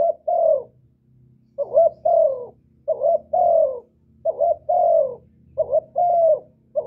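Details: Loud, clean spotted dove cooing used to excite pet doves to sing: repeated low phrases, two quick notes leading into a longer downward coo, with a soft low rumble in the background.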